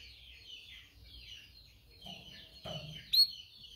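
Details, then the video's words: Canary song for training canaries to sing, quieter and blurred: soft warbling twitters with a brief louder chirp near the end and faint low background noise. "Canary training 0.25 Hour canario canary song"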